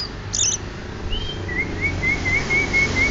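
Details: Banyuwangi greater green leafbird singing: a brief high chirp, then a smooth whistle leading into a chain of rapid, wavering slurred notes repeated about twice a second, with faint low hum behind.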